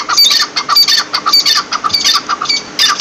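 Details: Partridge (teetar) calling steadily, a chain of raspy squawks about twice per second, each a broad harsh burst with a thin whistled tip.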